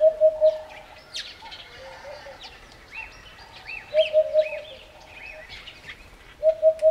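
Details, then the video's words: In the African bush of Botswana, a Eurasian hoopoe gives soft, hollow 'oop-oop-oop' triplets, low and evenly spaced, repeated every few seconds, while other small birds chirp and twitter higher up. "Hoopoe Call - The sounds of a Eurasian Hoopoe calling"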